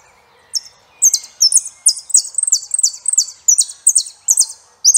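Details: Saffron finch pouring out quick, bright, very high chirps, each slurring downward, run closely together in an irregular, energetic rhythm over near silence.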